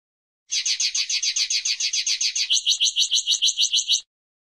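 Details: Linnet singing a rapid rhythmic run of high, dry twittered notes, roughly fourteen alike, then switching to about ten purer, lower repeated notes before stopping; clean recording without background noise.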